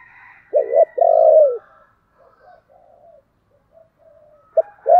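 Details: Spotted dove used as a decoy to lure wild doves, uttering a brief double coo and a longer purring coo, then soft scattered notes and the start of another coo.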